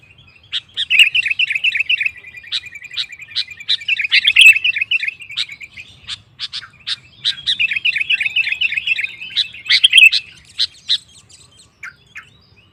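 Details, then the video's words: Sooty-headed bulbul song aimed at making rival bulbuls sing too: long, busy runs of bubbly warbling and twittering, broken by clusters of sharp ticks, with a pause midway. "Suara Burung KUTILANG GACOR Memancing Lawan Kutilang Lain Emosi Ikut Gacor"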